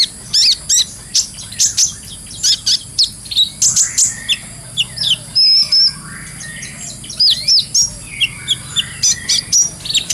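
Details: Kolibri ninja, the brown-throated sunbird, singing gacor in full ngobra style as training material; high thin chirps in uneven groups, a sustained flat whistle midway, then quicker descending twitters, about thirty-four note groups a minute.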